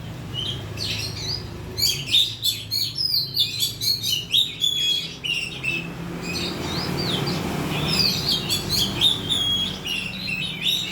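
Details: Varied high song of an oriental magpie-robin, played to coax birds into singing: rapid whistled notes and scratchy trills in rhythmic bursts, a quieter gap in the middle, then renewed sweet whistling over a soft low hum.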